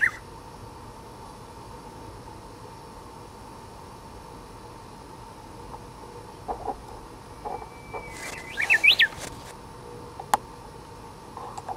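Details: A wild Japanese bush warbler, unusually in view on a dead branch tip, sings once. Quiet background with scattered faint notes, then a long even whistle opens into a sharp rising-falling flourish, followed by a single click.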